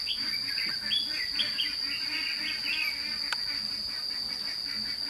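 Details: Red-whiskered bulbul acting as a trapping lure for wild birds at Thanh Liem, 29 May 2016. A run of rapid, sweet chirps and warbles is heard, with a steady high insect drone throughout.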